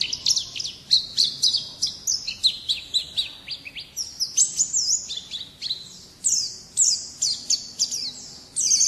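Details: Champion-style 'gacor' song of a pleci white-eye kept for bird contests, recorded in 2017: nine seconds of nonstop shrill twittering, rapid chirp clusters and thin whistles, ending in a dense scratchy burst.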